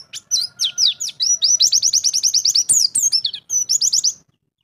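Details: Champion white-eye (pleci), a kept songbird, in full 'ngalas' song showing off its 'isian' learned phrases: rapid high, thin chirps and slurred whistles in fast repeated runs, nearly continuous for four seconds, with a brief higher trill near the end.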